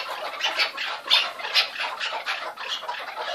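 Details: Chukar partridge calling in a dense, raucous run of harsh, scratchy notes, rapid and uneven, about two per second, with bursts rising and falling in loudness.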